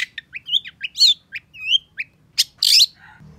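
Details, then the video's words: Long-tailed shrike song used to stimulate a bird that has stopped singing: varied sharp chirps, whistled slurred notes and harsh buzzy bursts delivered in quick succession, with faint low background hum. "Suara Cendet Pentet Gacor Emosi Sangat Cocok Buat Cendet Macet Agar Cepat GASSS"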